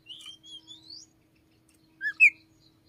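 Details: Morning song of an Oriental magpie-robin, described as carrying the voice of the red-headed flowerpecker: a soft run of rising whistled notes, then a silence and two louder short chirps.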